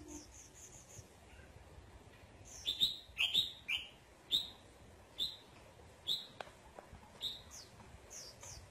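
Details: Red-whiskered bulbul sunbathing, giving short loud whistled notes, each a quick up-down slur, repeated about every half to one second, with softer high chirps from other birds behind.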